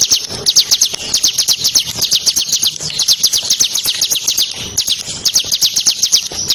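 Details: Bar-winged prinia song used as a lure for training champion songbirds: fast, evenly pulsed high chipping notes repeated several times a second in long bursts with brief breaks.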